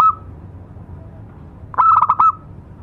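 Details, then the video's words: A local zebra dove gives a lure song, a single short burst of quick, stuttering cooing notes near the end after a long pause, with only a clipped tail of an earlier phrase at the start. "Suara pancingan burung perkutut lokal"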